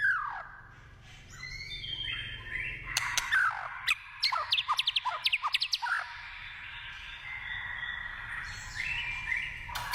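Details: Wild white-rumped shama song: a falling opening whistle, then a rapid burst of clicks and chips, followed by long layered whistled tones that fade and rise again.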